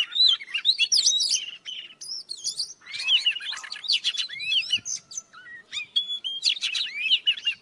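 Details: Morning song of an old wild Oriental magpie-robin: short bursts of sweet whistled and twisting notes separated by brief gaps, with some rasping chatter between phrases.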